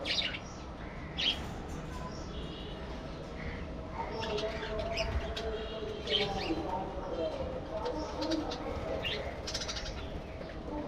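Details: Pet budgerigars chattering: scattered short high chirps and brief warbling notes come and go over a steady low rumbling background noise, with a few faint cooing-like sounds in the middle.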